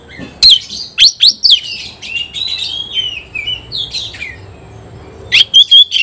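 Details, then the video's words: Oriental magpie-robin in full song while competing against a rival: loud sharp whistled notes and rapid chattering bursts, with a softer run of slurred falling whistles between them. "kacer gacor ngobra KONSLET nembak lawan tarung"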